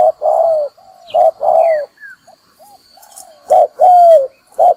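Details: Lure spotted dove used for trapping, giving loud hollow coos with falling ends in spaced bursts, a quieter pause between; faint high twittering of small birds and background hiss.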